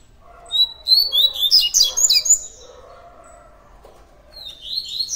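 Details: Double-collared seedeater of the tui tui diamante song style: a burst of high, twittering, tumbling notes over about two seconds, a pause with faint background murmur, then a short rising high phrase at the end.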